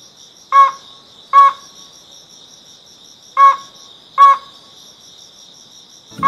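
Ruddy-breasted Crake giving hard, clipped single notes in loose pairs about a second apart, over a steady high insect drone.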